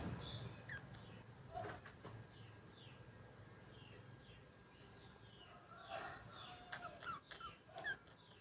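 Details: Budgerigars chatter in quick, scratchy chirps and short whistled sweeps, scattered unevenly through the clip.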